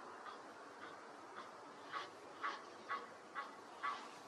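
Egyptian goose giving a run of harsh, honking calls, about two per second, growing louder toward the end over a soft background hiss.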